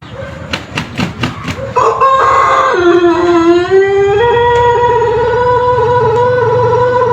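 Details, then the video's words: Pelung chicken, an ornamental native Indonesian breed from Cianjur, West Java: a few sharp clicks, then a long crow that rises, steps down to a lower held tone and climbs slightly, sustained for over five seconds. "Ayam Pelung Indonesia | Suara Kokok Panjang & Merdu yang Unik"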